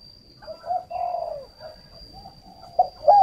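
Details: Spotted dove used as a decoy for luring, kept at a dove garden near Ba Vì, Hanoi: soft mellow coos run together into a longer phrase, then two sharp louder notes close it, with a constant thin high hum behind.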